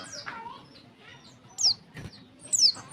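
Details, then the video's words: Two sharp, high descending notes about a second apart from a female warbling white-eye calling males to sing, above faint chattering and a low thump. "suara pleci betina untuk memancing bunyi jantan."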